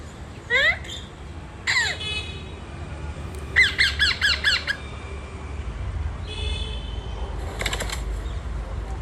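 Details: Rose-ringed parakeets filmed from a terrace in Pune: loud screechy squawks, a couple alone then a rapid series of five, against a constant low background hum.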